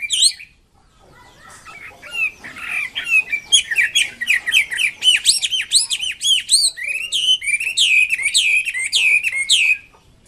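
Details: Chinese hwamei singing actively: a soft chattering start builds into a fast run of repeated loud down-slurred whistles, several each second, rich and ringing.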